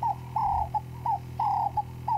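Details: At sunrise on 12 February 2016 in Sabi Sand, South Africa, a Ring-necked (Cape turtle) dove sings its rhythmic coo, a short note, a long drawn note and a clipped note, repeated, with a low engine hum beneath.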